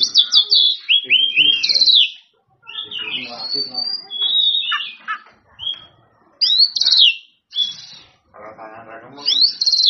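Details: Oriental magpie-robin singing to provoke rivals, loud high whistles and downslurred notes alternating with scratchy chattering phrases and short silences across several bursts.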